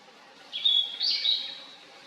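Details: Short song burst of a Blue-and-white flycatcher in a valley, 2023: two or three pure whistled notes sliding together into a slightly buzzy finish, under a second and a half long.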